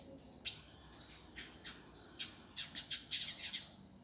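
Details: Indigo flycatcher delivering a rough, quick, tightly packed song used as a training master: scattered high, squawky chips that speed up into a dense, scratchy cluster toward the end, against a quiet background.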